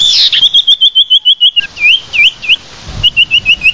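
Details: Common iora lure call used to attract the bird: a rapid series of short whistled notes around the same pitch, some as upturned slurred whistles, repeated about three times per second after a brief higher opening flourish.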